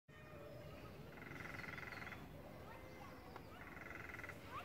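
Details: Lesser spotted woodpecker drumming at Parc de la Poudrerie on 23 April 2019: two fast, even rolls about a second long each, over a low rumble of background noise and faint speech.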